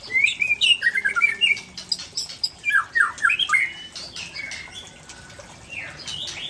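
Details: White-rumped shama from Tangse, Aceh, singing rare fill-ins: rapid whistled chatter, then sharp down-slurred notes, fading into softer scattered whistles and background hiss.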